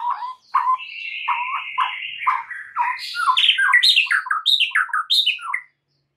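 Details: White-rumped shama masteran song meant to excite other shamas into song: low clipped whistles lead into a drawn-out buzzy note, followed by rapid bright whistled notes that climb and tumble in varied patterns.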